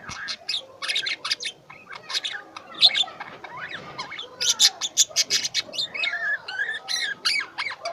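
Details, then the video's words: Several pet lovebirds chattering: dense bursts of shrill, high chirps and squeaks, with a few rising and falling whistled notes near the middle, calls tumbling over one another almost without pause. "Love Bird | I love my Birds| Sweet Voice"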